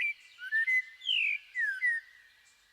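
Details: A clay-colored thrush, Costa Rica's national bird, sings a run of clear, slurred whistles, about five mid-pitched phrases in under three seconds, some rising and some falling.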